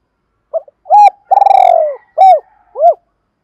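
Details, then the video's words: Spotted dove used as a decoy, calling to stir up rival males: a brief soft lead-in, a rounded coo, a drawn-out rolling purr falling in pitch, and two final hooped coos. No other sounds. "Chim Cu Mồi gáy gọi hai hậu"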